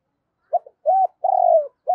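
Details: Spotted dove, cu gáy of 'giọng thổ' voice, played to get a decoy bird calling: a brief low note, an arched coo, a long trembling coo, and the start of another arched coo.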